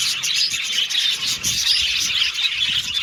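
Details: Happy budgies from Australia chattering together, a short burst of thick, high warbling with little squeaky whistles rising above the continuous twitter.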